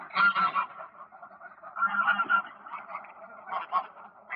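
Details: Greylag geese calling on ponds in a Polish park in autumn 2024, with a few loud nasal honks standing out over softer, steady gabbling from the flock.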